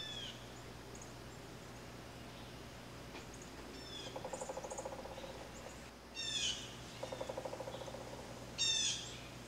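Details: Blue jay calling: harsh, stacked downslurred calls in short bursts, plus a lower, rapidly pulsed rattling sequence lasting about a second, heard twice, over steady low hum.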